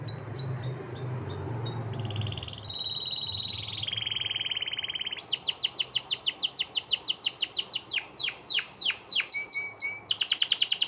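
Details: A white male canary sings a long, varied song of high trills: buzzy rolls give way to rapid repeated sweeping notes and bright whistled phrases.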